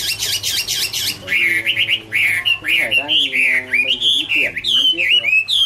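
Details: Autumn love song of a Chinese hwamei, Garrulax canorus: rich, looping whistled phrases with strong harmonics, bending up and down continuously in a varied, fluent stream.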